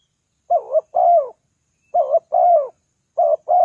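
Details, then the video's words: Spotted dove cooing played to draw in wild doves: three quick phrases, each a short wobbling coo then a fuller, slowly falling coo, spaced about a second and a half apart. "Chim cu gáy chiêu kích mồi tập bổi nhanh nổi hiệu quả"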